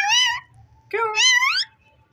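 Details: A pet ring-necked parakeet utters two nasal, speech-like syllables, the second longer and rising in a wavy glide, with a soft low rumble in the background.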